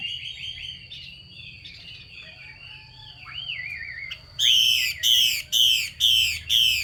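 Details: Faint, rambling warbled song and wavering whistles give way to a female Chinese hwamei's rasping 'xùy' call, used to spur males to sing: five loud, harsh bursts repeated roughly twice a second.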